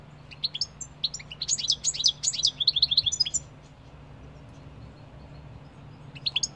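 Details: Goldfinch song with scattered chips leading into a rich, jumbled two-second burst of tinkling twitters and trills, a pause, then a few more chirps; low background hum.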